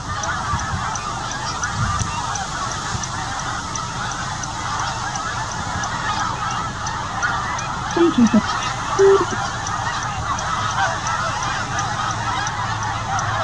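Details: Snow geese, adults with young hatched this year in the Arctic, migrating south past Winchester and stopping along the way to molt; a dense, continuous babble of many honking birds fills the air, with a few louder nearer honks around the eighth second.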